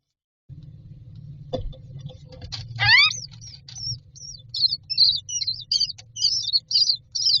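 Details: Common myna chicks in a nest box waiting for food; a knock, then a loud harsh descending rasp, followed by a run of high squeaky chirps over constant low hum.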